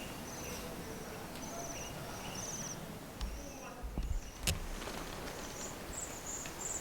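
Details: Bohemian waxwing in snow at Senjogahara, Okunikko, Japan, giving small high trilled calls again and again, with clicks and soft thumps from footsteps on a boardwalk.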